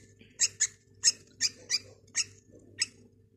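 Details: A White-eared (Iraqi) Bulbul, being fed, gives seven sharp, high squeaky chirps at an uneven pace over three seconds, with a low steady hum underneath.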